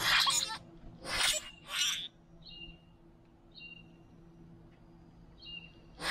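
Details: Boat-tailed grackles, three birds calling to each other while feeding at a backyard feeder: loud, harsh, broadband rasping bursts, then short thin whistled notes repeated at intervals over a quiet background hum.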